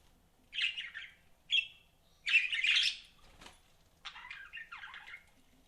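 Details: Pet budgerigars chirping: short bursts of scratchy, warbled notes around the upper-middle range, five phrases separated by brief pauses, with one sharp click in the middle.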